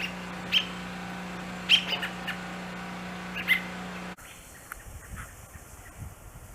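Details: A fallen American robin fledgling, fed and guarded by its calling parents, gives a few short, high chirps spaced irregularly over a few seconds above a steady low hum; the sound then cuts to quieter background noise.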